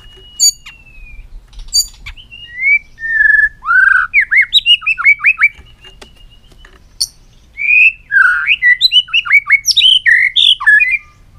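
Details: White-rumped shama, a caged bird singing in many voices with long strings of phrases: varied clear whistled notes, rising and falling slurs and quick chirps in dense bursts, with short pauses between runs of notes.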